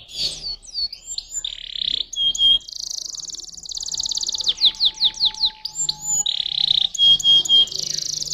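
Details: Canary song mixing buzzy rolls, a fast series of sharply descending notes, pure whistled tones and dense rattling trills, delivered continuously.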